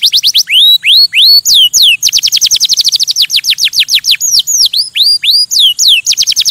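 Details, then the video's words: Loud canary song of rising-then-falling whistled sweeps mixed with rapid high chattering trills, the phrase types alternating without pause. "Красивое пение канарейки"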